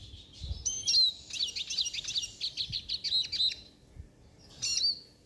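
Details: Siskin song: a fast, rhythmic run of twittering, slightly buzzy notes repeated about five times a second for two seconds, ending in clear whistles, then a final short chirping burst.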